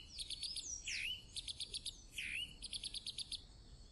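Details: Chalk-browed mockingbird (sabiá-do-campo) singing a lively varied phrase: bright downslurred whistles swoop in twice, set between quick trains of high, rhythmic chirping notes, against a quiet background.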